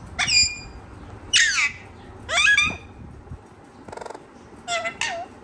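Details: Talking parrot making loud harsh squawks with downward-sliding tones, followed by a buzzy rattling note and two short nasal calls.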